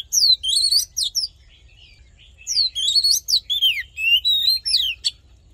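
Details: Fighting song of an Oriental magpie-robin, played to train voices and rouse males: dense, rapid sequences of sharp whistled and slurred notes in three energetic bursts with short pauses between them.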